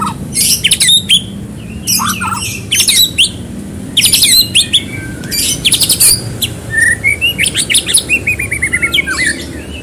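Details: White-rumped shama in fast, loud song used to prompt another bird to sing: rapid bursts of sharp chirps and high whistled phrases, rising and falling, delivered almost without pause.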